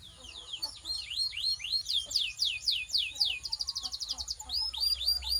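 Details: Belgian canary, song to warm up canaries and stimulate females; overlapping high slurred whistles in quick succession, a fast even trill midway, with faint background noise.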